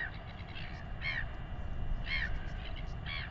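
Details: New Zealand royal albatross chick fed by its father, weighing in progress: a few nasal, squeaky whining notes about one second apart, ringing with harmonics above continuous low wind noise.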